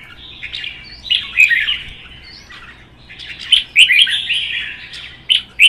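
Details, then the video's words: Two captive red-whiskered bulbuls dueling in song: lively, fluty phrases rise and fall, with a lull near the second second, then a dense, loud stretch of chattering warbles and sharp ticks. "CHÀO MÀO | Hót đấu kích ché"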